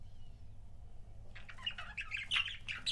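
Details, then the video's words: Pet budgerigar couples: a second of near quiet, then busy overlapping chirps and scratchy warbling notes building to the end, over a low background hum. "CUTE BUDGIE COUPLES"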